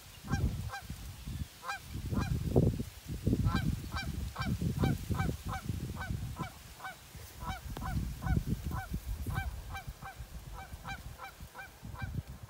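Wood ducks give short, squeaky whistled notes in quick bursts, several to the second, over a steady low rumble of wind.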